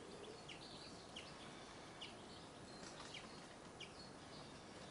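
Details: Great spotted woodpecker at Venus Pool giving five sharp, high 'chik' notes spaced about a second apart, over steady background hiss with faint distant bird notes.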